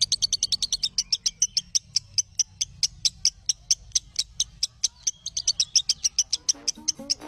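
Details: Lovebird training song meant to be copied by other lovebirds: a long run of quick, high, clipped chirps, faster at the start and end and slightly uneven in between, with a faint low murmur in the final second.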